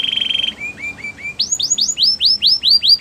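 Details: Singing canary used to encourage a silent canary: a rapid buzzy trill, a few soft lower slurred notes, then a series of loud arching whistled notes repeated about three times a second.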